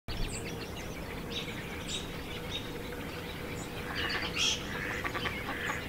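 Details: Ducks squabbling on a pond below a tree where a bald eagle perches, George C Reifel Migratory Bird Sanctuary, Delta, Vancouver BC, Canada, 31 December 2018; scattered harsh bursts and chirpy notes, denser near the end, over a steady low rumble.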